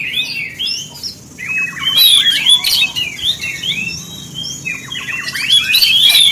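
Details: Oriental magpie-robin song to provoke rival magpie-robins: busy phrases of high whistles and harsher chattering notes, a quieter stretch midway, then a loud burst again.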